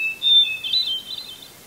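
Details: Hermit thrush singing in a red pine tree in Eustis, Maine, at 8:12 PM just before sunset on July 18, 2020: a clear pure whistled opening note, then a quick shimmering flourish of higher fluty notes fading away.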